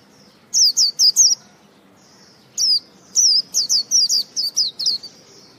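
A white-eye gives high, thin, rapid chirps in two bursts: four quick notes, a pause, then a longer run of about nine notes.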